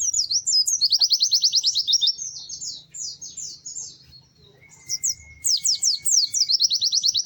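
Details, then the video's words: Lively, melodious white-eye song made of long runs of very high, quick, evenly repeated sliding notes. After a short pause a level whistle is heard, then more rapid trilling runs. "Kicau Burung PLECI GACOR MERDU"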